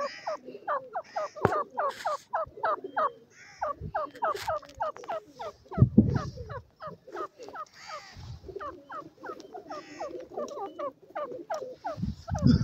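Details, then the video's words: Silver francolin (teetar) calling in a fast, chattering run of short, sharply rising notes, several per second, overlapping into a cackling chorus, with a few dull low thumps. "methi boli teetar ki,silver francolin ki awaz"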